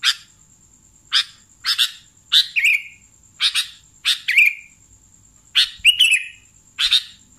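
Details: Sooty-headed bulbul call used as a lure: a string of raspy chirps roughly every half second to second, several ending in a buzzy descending tail, over a faint constant high tone.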